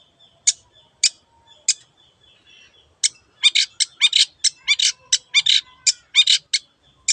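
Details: Long-tailed shrike giving spaced, sharp high clicks that speed into a rapid run of repeated chattering notes, some with lower tonal tails, over a quiet background.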